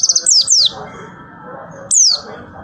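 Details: White-eye song fragment in 'tembakan' style: a quick stutter of high ticks, two long falling whistles, a pause with a faint background hum, then one more steep descending whistle.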